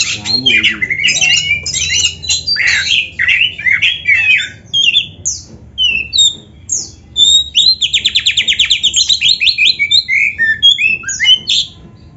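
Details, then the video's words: Oriental magpie-robin song from a masteran recording meant to train kacer birds: scratchy squawks and whistles at first, then a fast rattling series of repeated buzzy notes near the end. "Masteran Kacer Gacor Full Isian- 1 JAM LATIH MENTAL"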